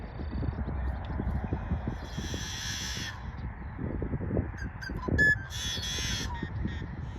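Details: A yellow-headed blackbird singing by a pond in prairie near Saskatoon, Saskatchewan, on 12 May gives two harsh, buzzy, scraping song bursts about three seconds apart, with a few short clicking notes between them over steady wind rumble.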